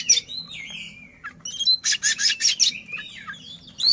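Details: Tail-spreading Oriental magpie-robin (kacer) singing to provoke an opponent: a long descending whistle, then a rapid series of loud harsh rasping notes, then softer twitters.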